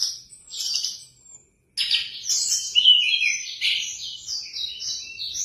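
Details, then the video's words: Singing orange-headed thrush: soft high notes, a short pause, then a loud varied stream of whistled and warbled phrases. "Burung Anis Kembang Bocor | Burung Berkicau"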